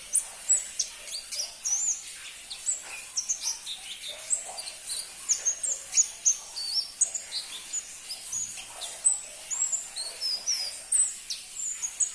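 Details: Song of a crimson-breasted flowerpecker, a bird seldom kept by songbird hobbyists and hard to obtain: a long, continuous run of very high, thin ticks and slurred whistles, fast and irregular.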